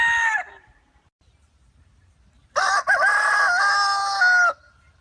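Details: Free-range rooster on a farm: end of one crow, about two seconds of quiet, then a full loud crow of two seconds with a wavering middle and falling finish.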